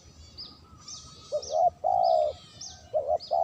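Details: Lure recording of a spotted dove: deep, warm two-part coos, a brief note then a drawn-out hoot, while another bird's high, sharp descending chirps sound between them.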